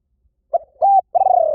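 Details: Spotted dove used as a decoy voice to lure wild doves in: a short clipped note, a flat level coo, then a long, slightly falling, rolling coo, all low and mellow in a quiet setting.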